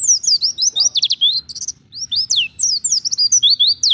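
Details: Lure recording of pleci, the Oriental white-eye, giving ngalas wild-style song: bright, very high sweeping whistles and clipped chirps in quick succession, nearly continuous with a brief dip in the middle.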